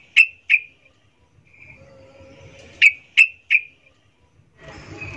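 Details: Sooty-headed bulbul female calling to males in breeding condition, a 'ngecuplik' style call: five sharp, clipped notes at one pitch, two quick notes then three more after a pause, with a faint steady low tone and a burst of noise at the end.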